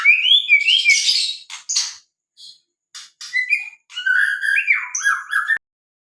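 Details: White-rumped shama song used to coax captive shamas into singing: loud rich whistles, scratchy bursts and short chips, then a wavering slurred whistled phrase, separated by brief silences.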